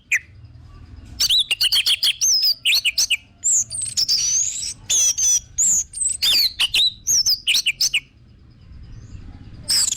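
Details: Orange-headed thrush singing as a lure to make kept birds sing: quick volleys of piercing high whistles and slurred chirps, densely packed, with a pause near the end before a final note.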